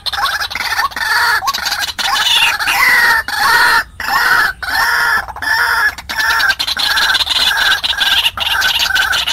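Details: White-breasted waterhen call used as a lure to bring in wild birds for trapping, heard as loud, coarse notes repeated at an even pace, with a few rising twangs and short breaks.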